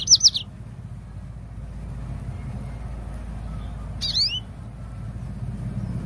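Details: Yellow-fronted canary song as a singing lure. A brief pair of high chirps opens, then one sweeping twittered phrase follows about four seconds later, over a continuous low rumble.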